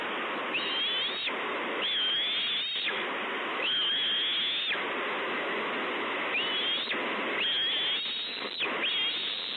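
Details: Bald eagle chick calling for food at Two Harbors, 30 May 2013: a series of high, thin, wavering whistled screeches in bursts of one to two seconds, partly masked by constant roaring wind or surf noise.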